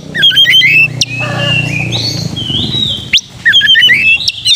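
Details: Oriental magpie-robin song meant to rouse aggression and tail display; a burst of quick chirps, then a drawn-out smooth whistle over low background noise, and a final flurry of sharp notes.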